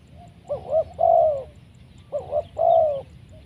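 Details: Large-bodied, loud-voiced spotted dove at a decoy trapping session; two phrases, each a pair of quick bubbling notes, then a drawn-out mellow coo that slides downward, repeated after a short pause.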